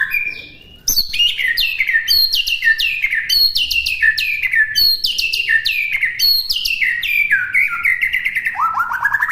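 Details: White-rumped shama song used as a training recording for other birds to copy: after a brief opening note, a fast run of loud whistled phrases, each sliding steeply downward, repeated in quick succession and ending in a rising trill.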